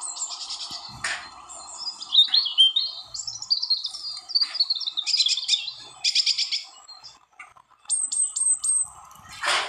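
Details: European robin recorded in Wales, United Kingdom, in 2014, singing a long, varied run of high, thin phrases: sweet whistles, fast glittering trills and buzzy rattles broken by short pauses, with a low steady hum and a few sharp clicks.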